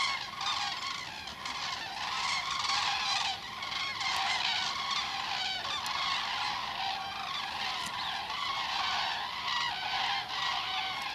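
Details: Migrating common cranes passing over a bee yard on 1 November 2015, a dense continuous chorus of loud, harmonically rich trumpeting calls from many birds, steady throughout, with a few sharp clicks.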